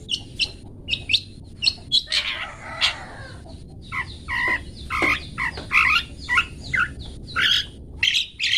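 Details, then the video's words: Long-tailed shrike song of the 'toet toet' type, meant for teaching pet birds: harsh, scratchy chatters alternate with loud squeaky and whistled notes in an uneven, jumbled sequence. "Cendet toet toet Cocok Untuk Masteran Cendet macet"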